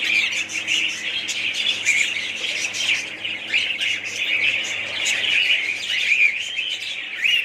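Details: Budgerigars chattering in a colony, a dense, lively blend of squeaky chirps, rising whistled notes and scratchy warbling from numerous birds.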